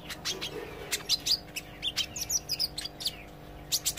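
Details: Young-style practice singing of an olive-backed sunbird, loud and chattering: thin high tweets and brief downslurred whistles tumbling in an uneven run, over a constant low hum.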